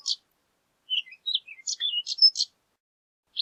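A horned lark gives a high, tinkling song: a quick jumble of about a dozen thin, squeaky notes over a second and a half, with nothing else audible.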